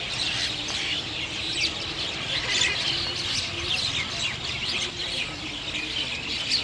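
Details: Chestnut-tailed starling calls: a steady stream of scratchy, squeaky chirps and short harsh notes overlapping without pause, with a faint low murmur underneath.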